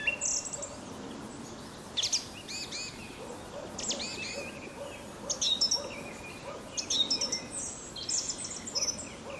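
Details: Spring territorial song of a song thrush high in an ash beside old oak forest near Sudak, Crimea; clear whistled notes and sharp repeated figures in distinct bursts, with quiet gaps between phrases.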